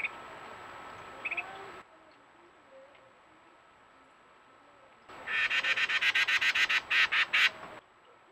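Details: A Carolina wren, thought from her song to be a female, sings after finding a peanut to eat: a loud, rapid burst of about a dozen ringing, repeated notes over two seconds, after a few faint chips and a steady background hum.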